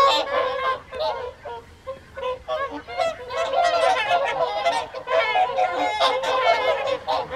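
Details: Evening feed at WWT Caerlaverock's Folly Pond, January 2023: many whooper swans calling at once, a steady wall of brassy, trumpet-like honks rising and falling in loudness, with no other clear sounds.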